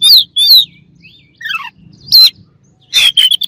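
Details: Oriental magpie-robin song used to agitate opponents: two loud clipped phrases, soft slurred whistles, a descending series of quick notes, then sharp chattering bursts.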